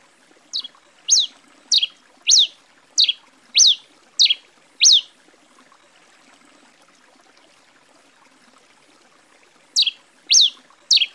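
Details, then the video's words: Grey pileated finch, known in Brazil as tico-tico-rei-cinza, singing a series of sharp high chirps that sweep up then drop steeply, about two per second, pausing several seconds before resuming; faint trickling water behind. "O oitavo da lista, é o canto do tico-tico-rei-cinza (Coryphospingus pileatus)."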